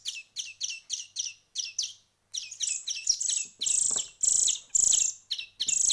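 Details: Young songbirds, hand-fed for a week, start with a row of evenly spaced short high chips, then pause and burst into louder, longer rasping begging calls.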